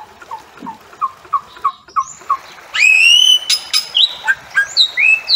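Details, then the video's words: Bali myna calling: a run of short, soft repeated notes, then loud, harsh, broadband bursts mixed with clear whistled slurs that rise and fall, delivered in a rapid, jerky sequence. "Bali Myna Calling Sound"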